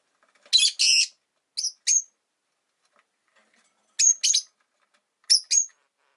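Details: Rosy-faced lovebirds, caged pets by a window in a household of five birds, give sharp high chirps in short pairs and triplets, separated by pauses of about two seconds; no other clear sounds.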